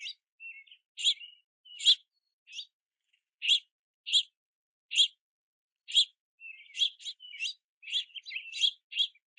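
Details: Multiple young house finches in the rain begging to be fed at a feeder; steady chirps roughly every half second, becoming denser and overlapping toward the end, with faint thin whistles.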